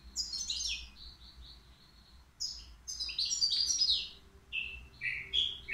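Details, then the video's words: Caged three-year-old European goldfinch at the Qriaa bird market, sung without mistakes; high tinkling notes, a drawn whistle, then a dense run of fast bright twitters and a few descending chirps over faint low noise. "الموقنين بدون أخطاء عندو 3 سنوات"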